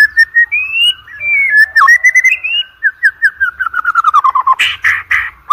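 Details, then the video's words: White-rumped shama song for training competition birds: long gliding whistles, then a fast descending string of short notes ending in harsh scratchy bursts. "OCEHAN MURAI BATU PALING EDAN, COCOK UNTUK PANCINGAN MURAI BATU UNTUK LOMBA"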